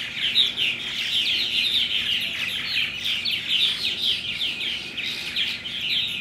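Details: Purple martins recorded on 17 June 2009: a dense, unbroken chorus of overlapping chirps and gurgling warbles from many birds at once, with a faint steady hum underneath.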